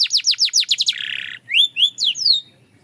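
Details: Belgian canary singing: a fast series of downward-sweeping high notes, then a short buzzy trill, followed by several rising and falling whistled slurs.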